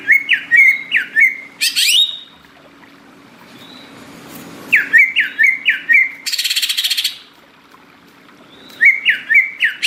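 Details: Energetic greater green leafbird song in tropical forest: clusters of three or four dipping, slurred whistles separated by pauses, a loud upward sweep, and a short burst of noisy buzzing chatter midway.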